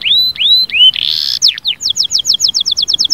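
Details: Canary song meant to rouse a silent canary: bright high whistled upslurs repeated three times, a buzzy rolling tour, a pair of sweeping notes, then a fast even trill of sharp chips, about four per second.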